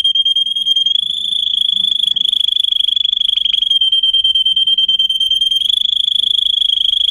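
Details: Singing Russian canary, recorded as a tutor for other canaries: a continuous high rolling trill that shifts slightly in pitch partway through, with a faint low hum beneath.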